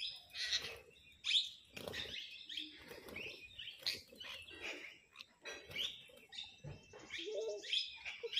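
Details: Parrots in a flock quarrelling over food: dense, overlapping screechy chirps and rasping squawks pour out almost continuously, loud bursts broken by brief lulls.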